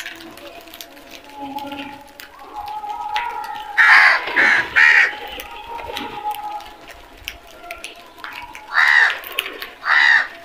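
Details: A quick run of three rasping crow caws comes midway, followed after a pause by two more harsh calls near the end, against a murmuring background with faint tones.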